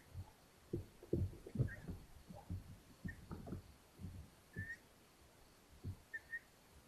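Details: Long-eared owls in a Hungarian nest, 13 May 2022, the mother bringing prey: several short, high, thin whistles scattered over a busy background of soft thuds, scratching and shuffling.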